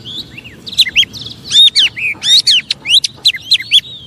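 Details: Oriental magpie-robin song meant to rile up other magpie-robins: a quiet whistled lead-in, then a dense string of sharp, swooping chirps and slurred whistles, quickly repeated, with faint background hum.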